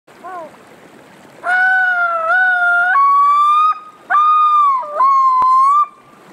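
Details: At Toolik Lake in June 2021, a yellow-billed loon (Gavia adamsii) gives a brief soft opening note, then long, mournful, wavering wails, each held about a second and stepping slightly higher.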